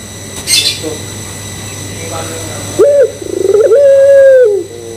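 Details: Puter pelung Barbary dove lure coo following brief voices and noise: a quick rising note, rapid pulsing trill and a drawn-out hoot dropping off at the end, with faint hum behind.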